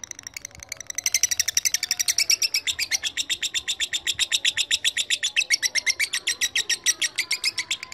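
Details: Lovebird calling out to a rival, played to draw long chattering; soft chips build within a second into a loud, rapid, continuous rattling chatter of harsh high notes, steady to the end.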